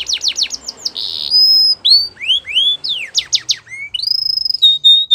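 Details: Belgian canary training song: a quick run of downward-sweeping notes, a long steady high whistle, rising slurred phrases, then a rapid buzzy trill and held high whistled tones, loud and clear.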